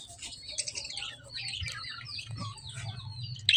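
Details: Soft lovebird chirping: thin, high twittering notes run together in a quiet stream, ending with a sudden sharp chirp, with a low hum throughout.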